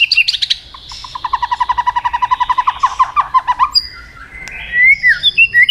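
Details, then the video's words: White-rumped shama singing in a lure recording: quick high notes open into a long, even rattle of repeated mid-pitched pulses, followed by clear rising and falling whistles. "pancingan murai batu gacor bikin yang lain DOWN!!pancingan burung murai batu nyaut"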